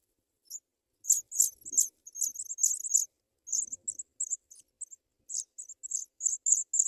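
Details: African pipit nestlings, fed white butterflies by adults at the nest, give very high, thin, chittering begging calls in quick irregular bursts rising and falling in intensity, with faint low rustling beneath.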